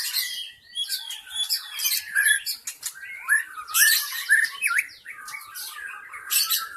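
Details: Lure recording of a wild white-rumped shama from the forest: busy, fast song mixing harsh chatters, buzzy bursts and bent whistles in quick succession.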